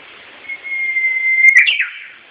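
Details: Japanese bush warbler song: a long, steady whistled note held for about a second, then a quick, tumbling flourish that drops in pitch. No other sounds.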